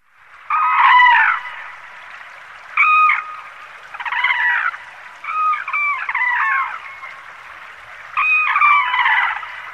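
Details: A white-naped crane guarding a mallard that an eagle had caught gives loud, ringing trumpet calls in five bursts over ten seconds, some overlapping as if two birds call together.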